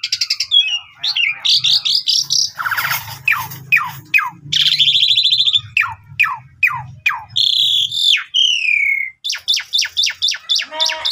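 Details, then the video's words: Asian pied starling singing a rich, varied sequence meant to provoke other starlings: fast rhythmic clicks and chirps, harsh buzzy bursts, and swooping whistles, all delivered continuously over a soft low hum. "Jalak suren Gacor Full Isian Mewah Langsung Nembak Ngerol"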